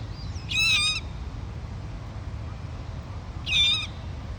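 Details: Dusky moorhen chicks foraging on a grassy lawn by a lake with one parent; two short, high squeaky harmonic calls about three seconds apart over a steady low background rumble.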